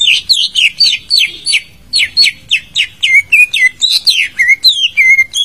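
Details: Greater green leafbird song used as a prompt to make a bird that has stopped singing answer: a fast, unbroken run of bright whistled notes and sharp downslurred chirps, high-pitched and varied, filling the whole stretch with little background sound.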